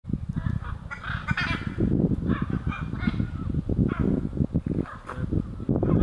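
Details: Hyacinth macaws calling as a flock in a tree at Jaguar Camp, Pantanal, Brazil, on 5 July 2019: harsh, raspy squawks in scattered bursts over a steady low rumble of wind or handling noise.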